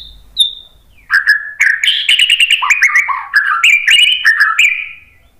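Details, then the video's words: A white-rumped shama sings as a lure to set other birds answering: one thin high whistle, a brief pause, then a dense, lively stream of warbled, chattering notes that gradually fades. "KICAUAN MURAI BATU memancing BUNYI jadi NYAUT GACOR NGEPLONG BONGKAR ISIAN ¦ PANCINGAN MURAI"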